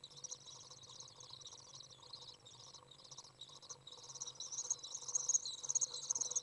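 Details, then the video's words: Common Swift young out of the nest, recorded 27 June 2011 on a very warm 30 °C day while a parent arrives to feed: thin, high, insect-like buzzing trills, quieter at first and then louder, denser bursts toward the end. "Common Swift young out of the nest, warm, feeding"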